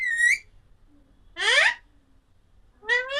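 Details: Alexandrine parakeet giving three loud, harsh, ringing calls; the first is a short, steady call and the next two are rising, strained squawks, spaced about 1.3 seconds apart in a quiet room.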